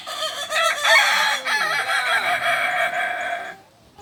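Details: Kukuak Balenggek roosters crowing together during a joint training session in Ampang Kualo, Kota Solok; overlapping, rich harmonic crows with wavering, curving notes run for over three seconds, then fade.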